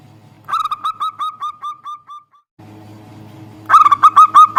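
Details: Local zebra dove calling out to a rival dove that is slow to sing. A run of about twelve soft, rolling coo notes fades away, then after a quiet gap a louder, quicker burst of coos begins.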